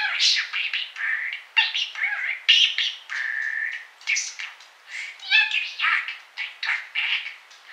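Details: Disco, a baby parakeet, chatters indoors while snow falls during the Nemo storm on 8 February 2013, traffic passing outside: a rapid run of raspy, buzzy syllables and bright chirps, mimicking speech with brief whistled notes mixed in.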